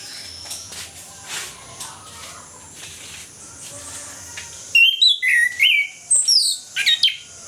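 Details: Orange-headed thrush in loud ngeplong morning song, played to prompt lazy or post-moult birds to sing: several seconds of faint background hiss, then a string of clear whistled notes mixed with sharp high chips.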